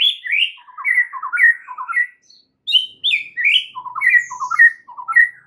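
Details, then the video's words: Murai batu song, meant to settle stressed birds: lively sequences of slurred whistles and quick falling notes in short bursts separated by a brief pause. "MASTERAN untuk Murai Batu Stress , dijmain langsung SEMBUH plus GACOR seketika"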